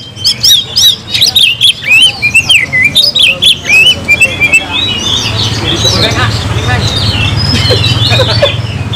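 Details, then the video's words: Oriental magpie-robin (kacer), a kept songbird, singing nonstop in the gacor nagen style: a dense run of quick varied whistled notes and slurred chirps for four seconds, then a looser chattering stretch over a steady low hum. "kacer gacor nagen sampe leklok"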